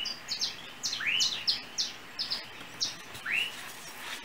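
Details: Perched on an overhead cable in Trinidad, a small yellow bird mixes a few rising chirps with rapid bursts of short high-pitched notes.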